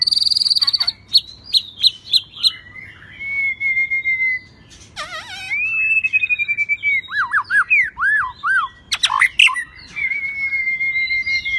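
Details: White-rumped shama in rít thuốc lào song: a varied run of high clear whistles, long sustained notes, sharp chips and looping slurred phrases, shifting in pitch throughout, with a quiet low hum underneath.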